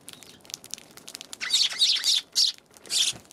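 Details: Eurasian tree sparrows recorded on January 11: a few scattered short chirps, then clustered bursts of sharp, high chirping in the second half, separated by brief quiet gaps.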